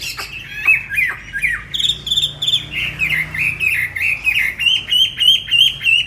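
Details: Tame Chinese hwamei, a caged bird in Hanoi, repeats clear, looping whistled phrases roughly three times a second, steady and loud throughout.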